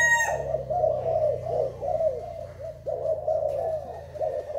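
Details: Thai spotted dove cooing: low, mellow coos run almost unbroken in overlapping rounded phrases, after a brief high tonal sound at the start.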